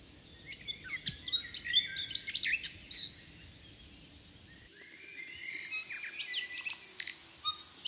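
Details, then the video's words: A New Zealand tui feeding on Protea, red Kakabeak and Grevillea flowers sings a rapid jumble of clicks, chirps, squeaks and bell-like notes, then pauses before a second high, metallic burst, with low rumble underneath at first. "Tui Bird Singing"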